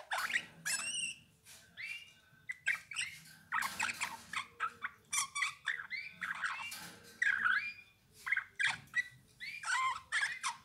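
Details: Eurasian bullfinch song, a dense stream of varied short notes: quick whistled slurs, rising and falling loops and scratchy bursts, with hardly a pause over ten seconds.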